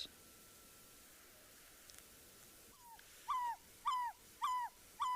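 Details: African barred owlet call played on a winter late-afternoon safari drive on a cold, overcast 25 July 2023: a steady, repetitive series of clear, mid-pitched notes, each dropping slightly, about two per second, over quiet hiss.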